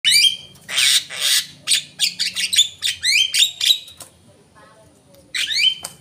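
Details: Javan myna calls used as a lure: harsh squawks and sharp falling-then-flat whistled notes in bursts, with a quiet pause before a final whistle.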